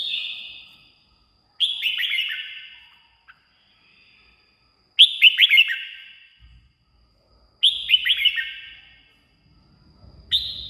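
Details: Red-whiskered bulbul singing, for use as a decoy call or to make caged birds lively. A cascading, descending warbled phrase is repeated three times with pauses of about three seconds, each ending in an echoing tail.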